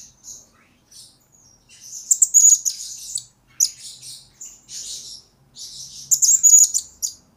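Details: Blue-crowned hanging parrot singing, used as a lure and master recording for training birds: soft high notes building into loud, dense bursts of very high chirps and buzzy trills, then pauses.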